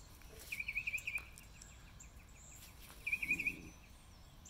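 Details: Spring mockingbird song recorded March 26, 2020: a fast stuttering trill repeated in two bursts about two seconds apart, with faint background hiss and a brief low rustle.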